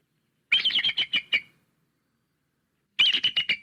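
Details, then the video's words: Bald eagle calls: two bursts of high, thin, chittering notes, about six quick staccato pips each, two seconds apart; otherwise quiet. "Bald Eagle Calls"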